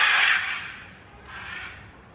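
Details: Wild macaw at a window after sharing a banana, before the flock leaves, gives a loud, harsh, raspy squawk, followed a second later by a softer, shorter screech.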